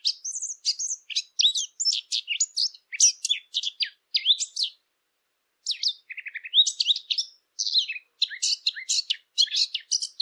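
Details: Eurasian blackcap song for hunting callers: two long bursts of rapid scratchy, twittering notes mixed with brief whistles, broken by a pause of about a second, with no other sounds.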